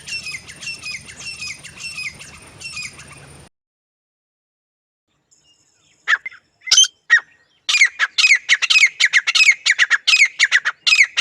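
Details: A steady electrical hum runs under a repeated grey francolin phrase, female and male. After a pause, scattered sharp notes give way to a loud, fast string of high, downward-bending calls.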